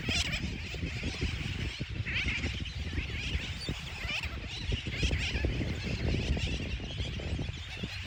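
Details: Colony of nesting sooty terns in the Dry Tortugas at Fort Jefferson. A constant din of many harsh, overlapping calls rises and falls, with a strong low wind rumble beneath.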